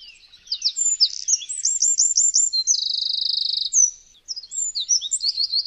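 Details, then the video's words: A Eurasian wren pours out a loud, rapid, high song of sharp notes, repeated slurred phrases and a dry rattling trill, with no other sounds. "Strzyżyk. Odgłosy i Dźwięki jakie wydaje Strzyżyk. Jak robi Strzyżyk?"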